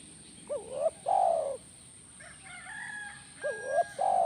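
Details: Spotted dove calls played to draw a reply from a caged dove: two phrases of a rising stuttered note and a long falling coo, with another bird's higher, drawn-out harmonic call between them.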